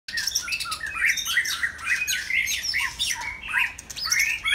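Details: White-rumped shama singing on a Saturday afternoon: a rich, varied run of whistled phrases sliding between low and high notes, mixed with sharp clicks and buzzy notes, continuous with brief pauses.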